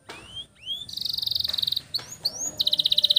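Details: Canary singing a long roll meant as a master song for young canaries; rising whistled notes alternate with fast pulsed trills around twenty pulses per second, over low background hiss.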